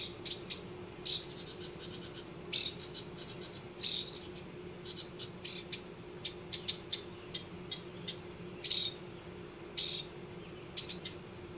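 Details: Nesting house wrens in a Denver yard: scattered bursts of high rattling notes and quick trills, separated by short gaps across the recording.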